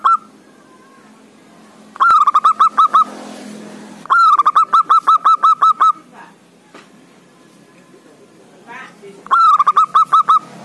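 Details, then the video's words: Zebra dove (perkutut), a loud local male calling rivals, used to lure quiet doves into calling: bursts of quick, bubbling cooing notes at a steady mid pitch, each run one to two seconds, with quiet pauses between. "Suara Perkutut Buwat Pancingan Perkutut yg malas bunyi"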